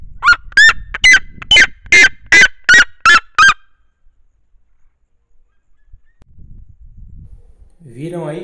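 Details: Mother Red-legged Seriema singing atop her nest while brooding a chick a few days old; a rapid series of about nine loud, harsh yelping notes, followed by quiet and a brief muffled human voice.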